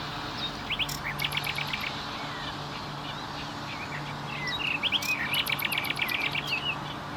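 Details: Common nightingale song: two bursts of rapid, repeated high notes and short whistled trills, one early and a longer, denser phrase later, over a steady low hum.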